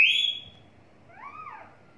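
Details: Pet talking parrot giving a short, harsh, high screech that slides downward, then after a pause a softer rising-and-falling whistled note; quiet room background.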